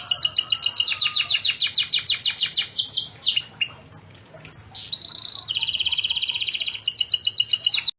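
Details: Lively canary song with fast rolling trills of repeated notes, a brief near-silent break, then a sustained buzzy trill and rhythmic pulsing phrases resuming strongly to the end.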